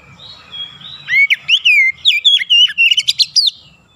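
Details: Oriental magpie-robin kept in a cage, delivering a dense burst of bright whistled notes, slurred and rising-falling, after a soft faint lead-in note; notes follow in quick succession for about two and a half seconds.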